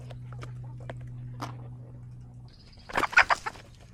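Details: A rooster on a farm where the flock has been ill gives a brief, hoarse, ragged crow under a second long, which the owner says sounded horrible, after a steady low hum and scattered clicks.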